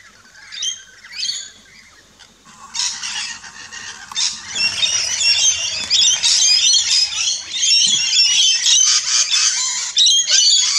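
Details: Backyard rainbow lorikeets feeding at a station in Australia: a few scattered screeches at first, then a loud, continuous mass of raspy squawks and rapid chirps building over several seconds.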